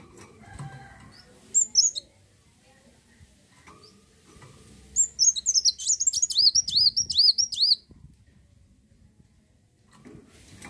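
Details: A lone high chip, then a sustained phrase of near three seconds of rapid, looping high whistles from an olive-backed sunbird in 'gacor' song, used to lure other birds into singing.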